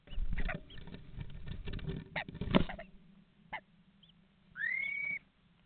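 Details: At an Estonian nest box webcam, 7:42 on 11 May 2019, common starlings make rough rustling chatter and scratchy notes, ending with one clear, slightly rising drawn-out whistle.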